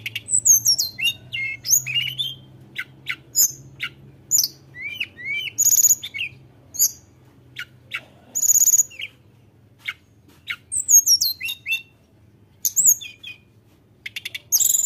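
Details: Tledekan gunung in active song intended to provoke rival birds: repeated bursts of high chirps, piercing whistles and rising notes across the whole recording, with a low background hum.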